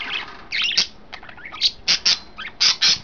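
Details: Caged pet budgerigars, three together in their new setup, trade loud, piercing squeaks and chattering notes, several strong calls bunched in quick pairs.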